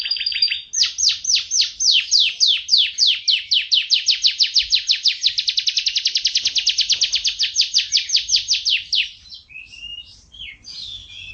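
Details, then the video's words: Yorkshire canary in full masteran song for training cage birds: one long, steady roll of quick repeated notes that sweep downward, kept up for about eight seconds, then breaking into varied short chirps and whistles. "Suara Kenari MP3 Kicau Kenari Masteran Yorkshire Gacor Durasi Panjang"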